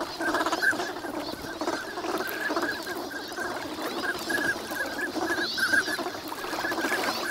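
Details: Wintering migrant ducks in a large flock at Nagahama, Lake Inawashiro, Japan, on a fine winter morning: a dense chorus of short, whistled notes at a similar pitch, overlapping continuously, with a low rumbling background.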